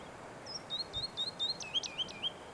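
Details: A woodlark (Lullula arborea) on Børsmose Hede heath, 30 March 2019, gives a quick run of about ten liquid, high slurred notes that dip and rise, over a soft steady background hiss.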